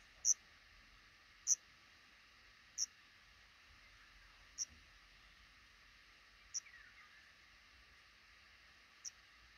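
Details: Black redstart at its nest tucked under the roof over a house's front door, a pair raising five chicks; six isolated high, thin chips spaced roughly every one to two seconds against a quiet background hiss.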